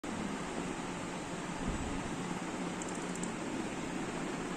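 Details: Steady broadband hiss and hum fill a small indoor room, with a few faint high clicks near the end and no animal voice.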